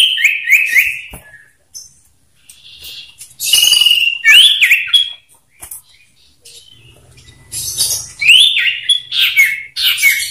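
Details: Two male common ioras dueling in loud song, used as a lure to make other ioras sing: clear whistled notes sliding down from high to mid pitch, quick rising-falling sweeps and bursts of sharp high chatter, with short silent gaps.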